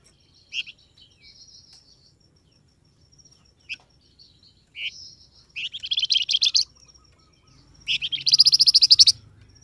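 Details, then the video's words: Calling sound of a flamboyan bird, used to make wild birds call back. Scattered thin chips and short buzzes build into two dense, rapid chattering rattles near the end. "SUARA BURUNG FLAMBOYAN, DIJAMIN LANGSUNG NYAUT BUNYI"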